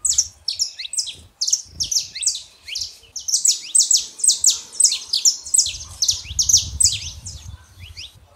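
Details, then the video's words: Saffron finches, a male and a female, singing to warm up a quiet caged bird; dense run of high, sharp, buzzy chirps in quick succession, with faint low rumbling noise in the background. "canário da terra fêmea e macho pra esquentar seu canário frio"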